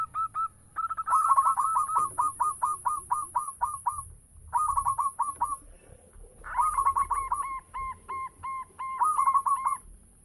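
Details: Local zebra dove singing actively, used as a lure for other doves: bursts of low cooing notes in quick rhythmic series, several phrases separated by short pauses, with a steady thin high whine throughout.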